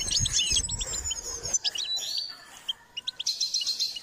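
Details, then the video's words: Goldfinch song in a singing-training session: quick high twitters and sharp chirps, a steady low rumble under the first second and a half, then a pause before spaced clicks and a final burst of trilled notes. "Step by step enhancing the goldfinch’s singing"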